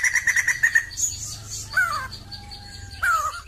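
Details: Sumatran laughingthrush, a crested bird, opening with a quick series of six bright repeated notes, followed by clear downslurred whistles and a thin sustained tone, low hum beneath.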